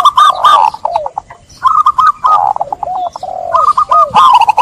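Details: Zebra dove lure song for stressed doves gone silent: rapid chains of short trilled coos and falling low notes, repeated in three clustered bursts.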